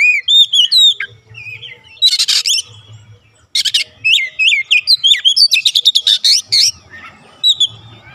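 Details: Oriental magpie-robin singing, played to prompt a quiet bird: varied whistled slurs interwoven with dense harsh rattling bursts, delivered almost continuously with one short pause.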